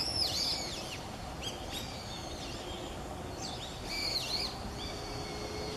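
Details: Brown-eared bulbul recorded in the morning of November 7, 2016, giving loud, shrill, squealing calls that swoop up and down, in two bursts with softer chirps between, over a steady low rumble.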